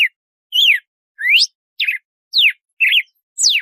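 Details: Red-cowled cardinal singing the açoite, a measured compasso-style song: clear whistled notes, some rising and some falling steeply, about every half second, with no other sounds behind them.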